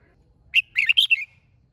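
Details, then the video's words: Red-whiskered bulbul delivering a quick phrase of five whistled notes, bright and slurred, with light low rumble in the background. "Chào Mào Hót"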